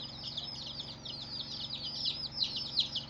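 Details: Baby chicks of many colours cheeping together in a continuous high chorus of rapid thin peeps, overlapping with no pauses, fairly quiet overall.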